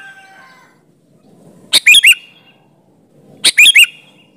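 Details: Lively sooty-headed bulbul song played as a lure for other bulbuls: two separate clear phrases of three quick liquid whistled notes, rising then dropping, about one and a half seconds apart, with a faint earlier whistle.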